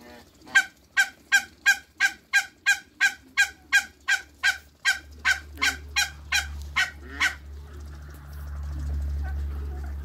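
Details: Three African geese at a waterbird farm: a rapid run of loud, nasal, harmonic honks, about seventeen in seven seconds at a steady pace of roughly two or three per second, then fading into low rumbling background noise.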